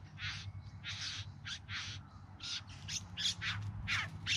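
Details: Courtship display by bowerbirds in the Yarra Valley near Melbourne, September 2020: rasping, scratchy churrs come in quick uneven succession, some short and clipped, others drawn out, over a faint low background drone.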